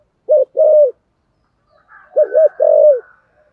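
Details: Low cooing of a spotted dove, 'thổ sấm' voice in 'thúc gù' style: two phrases, each a short wavering note then a longer held coo, with a faint higher chirping between them.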